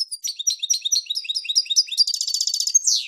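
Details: European goldfinch song from a Pepe Reyes recording: continuous fast high twitters and chirps building into a buzzy rattling trill, closing with a drawn-out descending buzz.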